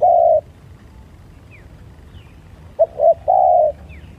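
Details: Spotted dove calling in a fight, giving a loud low coo with a level, even tone, then a short double note and a longer coo after a pause, with faint higher chirps from other birds.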